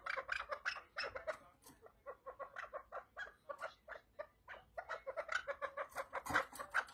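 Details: Chukar partridge giving a rhythmic chuckling series of short, clipped notes, speeding up and growing louder toward the end.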